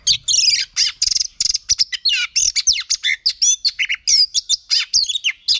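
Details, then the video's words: Female oriental magpie-robin, sung for training males: a fast, unbroken stream of high chirps, buzzy notes and looping whistled slurs, loud and varied throughout. "chòe than mái HUÝT KÈM THÚC TRỐNG.chòe than mái kích trống căng lửa.chim chích chòe than mái hót"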